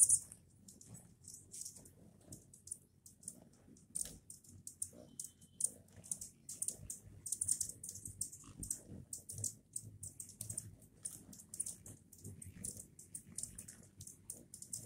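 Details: Anna's hummingbirds swarming at a fresh feeder on Saltspring Island, BC, Canada, give rapid, dry, high-pitched chips in irregular bursts, several birds overlapping, over a low hum that may be their wings.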